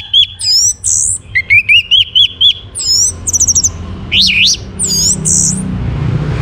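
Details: Orange-headed thrush in full song, used to prompt other birds to sing. A rich, fast run of varied whistles, repeated rising notes, buzzy trills and looping slurs, ending in fading background noise.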